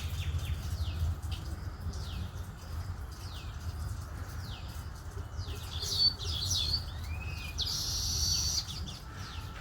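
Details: Baya weavers chatter in quick, sharp down-slurred chirps, several a second, with a wheezy buzzing note near the end over a steady low rumble.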